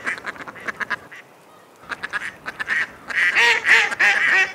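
Mallard ducks give rapid, nasal quacks and chattering calls in quick bursts, with the harsher, louder series coming near the end.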